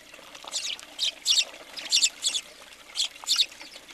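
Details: Many house sparrows on a feeder in Recke, Germany, January 2020, giving soft rough chirps in short pairs and threes, fairly steady throughout.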